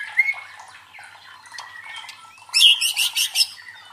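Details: White-rumped shama song used to build fighting spirit in competition birds: soft warbled notes, then a loud harsh rattling burst of four or five pulses.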